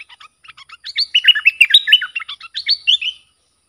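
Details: A bulbul's song for teaching young birds, featuring sap dok, boen and rik styles: soft clipped chips build into a loud run of rolling whistled notes, about three seconds long, then fade out.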